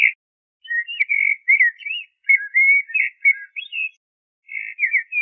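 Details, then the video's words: Fluty, rambling song of a common blackbird, Turdus merula: a long unbroken string of low mellow whistles and slurred notes, followed after a short gap by a brief warbled phrase. "تغريد طائر الشحرور ( جحمومية - الزرياب ) Turdus merula"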